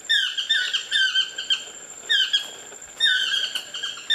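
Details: Chestnut-mandibled toucans in trees near a bungalow at an ecolodge on the Osa Peninsula, Costa Rica; repeated yelping phrases with strong harmonics, each a quick run of notes in bursts roughly every one to one and a half seconds, with people talking nearby.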